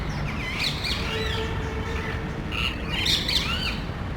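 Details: A small flock of parrots searching for a nest site among neighborhood cable boxes, loudly squabbling; wavering, chattering screeches and twisting whistled notes, densest near the end, above low background noise.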